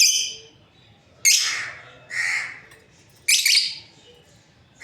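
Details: Lovebirds, a breeding pair, calling with harsh, piercing chirps, about three loud bursts spaced over five seconds, each fading away, with a lower raspy call in between.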